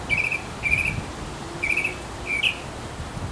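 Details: Male mockingbird singing in a backyard for a female: four short buzzy chirped phrases, each under half a second, spaced with brief gaps.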